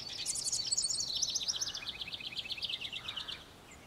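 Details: House wren song: a bubbling, rapid cascade of high trills and chattering notes, starting very high and dropping into a steady run of repeated descending notes, fading out near the end.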